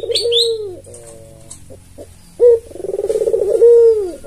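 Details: Tame white albino Barbary dove used as a lure bird, its coo a trilled rolling note that ends in a falling slur, followed by a sharp rising note and a new swelling coo; thin chirps of a small bird at the start.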